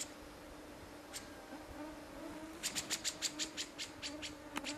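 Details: White gyrfalcon at a nesting site in Siberia gives one lone note, then a harsh, rapid cackling run of about ten grating notes, over a steady low buzz like a fly.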